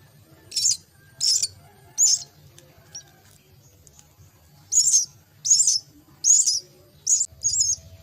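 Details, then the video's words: Myna chicks begging while being fed at the nest: harsh, high, hissing bursts about half a second long, repeated in a quick series with a gap in the middle, over a low steady hum. "Feed the myna chicks at nest"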